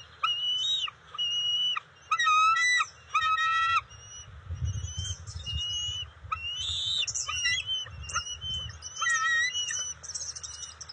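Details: Wild bald eagles at their nest in June, as the female delivers fish to the eaglets; a series of high, whistled, chattering notes with stacked bands, given in bursts roughly a second apart, then looser squeaky notes over low rumbling.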